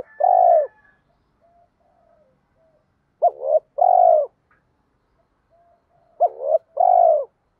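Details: Spotted doves cooing to pressure lazy cage birds into calling along. A single long coo opens, then two paired phrases follow about three seconds apart, each a brief rising note and a full steady coo.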